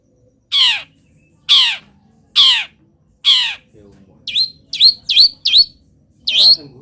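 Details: Local long-tailed shrike in energetic song while moulting, copying wild birds; four harsh grating downward-sweeping notes about a second apart, followed by a rapid series of short sharp upslurred whistles.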